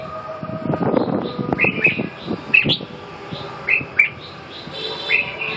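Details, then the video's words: Red-whiskered bulbul sizing up a rival, giving short bright whistled notes in scattered bursts after a noisy, rumbling opening second and a half, with background clatter throughout. "ché thăm dò đối thủ"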